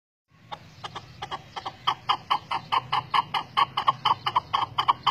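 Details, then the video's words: Chukar partridge (Alectoris chukar) calling: a quick run of harsh, clucking chuck notes, about two or three a second, starting unevenly then settling into a steady rhythm over a faint low hum. "Perdiz Reclamo"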